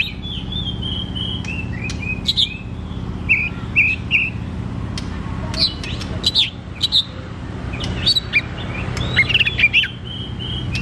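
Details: Oriental magpie-robin (kacer) in 'ngeplong' singing used to stimulate quiet birds; fainter mix of short whistles, clicks and chattering notes spread evenly across the recording, over constant background hum.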